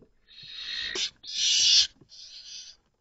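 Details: Three drawn-out rasping hisses from a barn owl chick, one of two left alone in the nest, facing an unwelcome female owl while the mother is away hunting.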